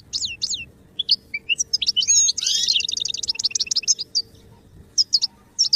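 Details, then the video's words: Goldfinch singing as song-training material, with scattered high chirps opening into a dense stretch of rapid twittering and rattling notes, then more spaced, sharp chirps. "Birdsong sound effect beyond support and inspiration goldfinch"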